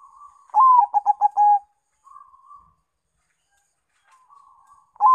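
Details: Zebra dove, local Bangkok crossbreed, singing as a lure: a soft lead-in, then a loud staccato burst of five or six low, mellow coos within a second, followed by fainter trailing coo phrases and quiet gaps.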